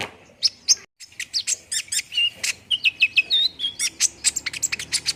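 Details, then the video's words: Lure song of the olive-backed sunbird for a quick singing response: after a brief gap, sharp high chips and short slurred whistles follow in a quickening series that ends in fast repeated ticks. "PANCINGAN KONIN CEPAT RESPON BIKIN CEPAT BUNYI DAN GACOR"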